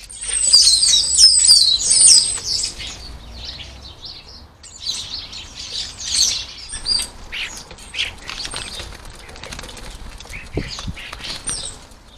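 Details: European starlings relentless over food at a garden feeder; a loud opening burst of high whistled, warbling squeaks, then scattered chatters and squawks fading, with wing flutters and a low knock near the end.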